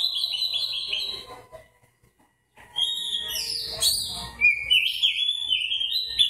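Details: White-breasted Oriental magpie-robin in fighting-style song: a rapid run of high whistled notes, a short pause, then a burst of varied whistles and a sustained wavering whistled phrase.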